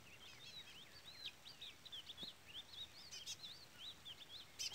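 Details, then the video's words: Trola-style song of a 'pardo' Chestnut-bellied seed finch: rapid chains of twisting whistled notes, rising and falling without pause, while a chick peeps insistently nearby with short bright bursts. "Curió Pardo cantoria Trola / Curió Pardo Trolinha"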